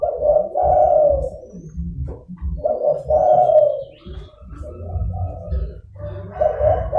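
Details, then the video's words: Lively zebra dove coos used to attract wild doves: three rolling phrases of short-then-long purring notes, the last softer, over a low background rumble and faint whistles of other birds. "DERKUKU GACOR (DERKUKU PIKAT)"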